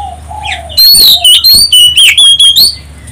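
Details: Oriental magpie-robin song for provoking other birds to answer: a low soft whistle, then a fast string of about seven loud, ringing whistled notes, each sliding and wavering, closely spaced.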